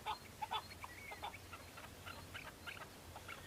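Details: Chukar partridges calling on Bamo mountain in the breeding season as males fight and display to females; a few loud clucks at first, then softer, irregular chuckling notes with a faint whistle.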